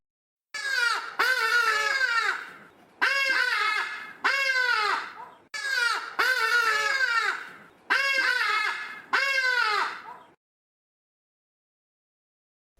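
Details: Hadeda Ibis (Bostrychia hagedash), a common garden bird of South Africa's Eastern Cape, gives loud, harsh, nasal 'haa-haa' calls, each note sliding downward, in four bursts of several notes over about ten seconds.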